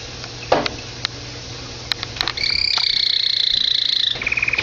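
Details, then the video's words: Pet canary singing at home. A few clicks and knocks come first, then a long fast high buzzing trill that shifts into a lower rapid rolling trill. "My canary"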